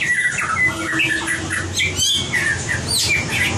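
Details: White-rumped shama singing in competition style, used for voice training: varied slurred notes around mid pitch, some rising and falling, delivered in quick succession over a steady low hum.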